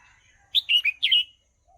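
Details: Red-whiskered bulbul song used for training young birds: a short burst of three or four loud, warbling, slurred notes around the upper-middle register, delivered within under a second against a quiet background.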